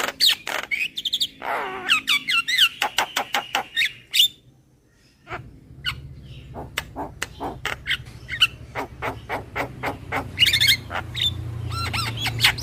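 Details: Javan myna lure call in a whiny style: dense bursts of clicks and squawks, a brief quiet gap, then scattered sharp ticks and short whistles over a low hum.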